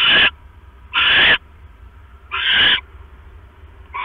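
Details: Nesting owls on the night of 5 October 2015 as the male delivers a rat and the female settles back on her eggs. Harsh hissing screeches of varied length, three full bursts plus the start of another, spaced unevenly.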